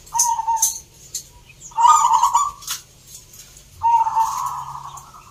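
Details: At a zebra dove singing contest in Salatiga, Central Java, three rolling coo phrases come at irregular intervals, the later ones longer and wavering, with clicks and light background noise.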